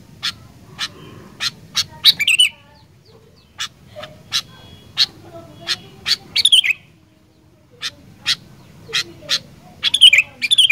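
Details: Sooty-headed bulbul giving song meant to quickly stimulate other bulbuls to sing: short, sharp, rising chirps in brief bursts, set among many loud, dry clicking taps repeated roughly every half second.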